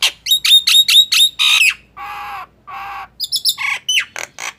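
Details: A Nias hill myna gives quick piercing whistled notes, then two drawn-out nasal, buzzy squawks, then resumes with sharp rising and falling whistles.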